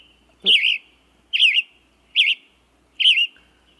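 Western Tanager singing short, burry, robin-like phrases, four in under four seconds, each a hoarse rising-and-falling warble with a slightly questioning lilt.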